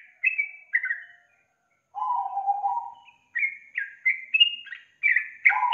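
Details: A reluctant young yellow-vented bulbul is lured with this song: two clear whistled notes, a pause, a low buzzy drawn note, then a quick run of bright, rising and falling whistles.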